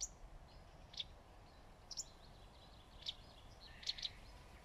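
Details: Wagtail on a branch beneath leafy shade uttering crisp, high, short call notes about once a second, a few in quick pairs, over a steady hissing background.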